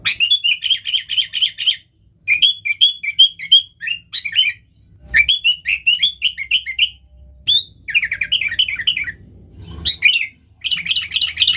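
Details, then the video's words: Sooty-headed bulbul in full, energetic song, used as a call to lure wild bulbuls: bursts of rapid, bubbly chattering notes repeated in quick runs, separated by brief pauses, with a faint low hum beneath. "Suara Burung KUTILANG GACOR Nggaruda Super Ampuh Untuk Suara Panggilan Burung Kutilang Liar"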